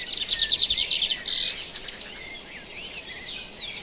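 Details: A bird chorus at dawn, recorded live in the wild: a fast, loud stuttering trill opens, then gives way to a busy mix of high twitters and chirps from many birds.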